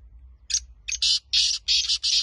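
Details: Black francolin giving a harsh, grating call phrase of about six rasping, buzzy syllables, the first short and the later ones longer, delivered over roughly two seconds, with a low steady hum underneath.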